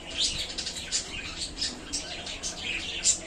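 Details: Pet budgies in a small new cage keep up near-continuous high warbling chatter, rapid squeaky chirps rising and falling every fraction of a second, one sharp loud note near the end.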